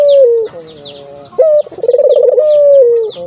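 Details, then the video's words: A single full dove coo phrase, used to get a caged dove calling: a falling note, a quiet lower hum, a sharp upslide, then a quick pulsing roll that stretches into a smooth descending tone, with high chirps of other birds. "buat burung puter mu bunyi karena ini!!!"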